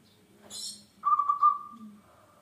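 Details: Local zebra dove singing, used to lure other birds into song: one bright, rapidly pulsed coo lasting about a second and trailing away, following a brief high chirp from another bird, with a low hum underneath.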